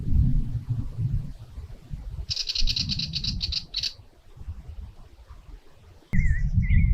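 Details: Willie Wagtail near Lindsay and Mulcra Islands, north-west Victoria, Australia, in fading evening light, giving a rapid, scratchy rattling alarm call for about a second and a half over low wind rumble, with a short wavering whistle at the end.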